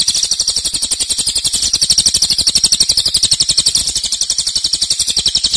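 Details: Loud cililin in dense 'nembak' song: a fast, high, ticking trill sustained across the clip, swelling slightly in the middle.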